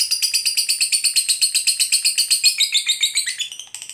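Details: Fighter lovebird giving a long ngekek, used to provoke other lovebirds into answering: a rapid, shrill chattering trill of evenly repeated high notes that slows and breaks up near the end.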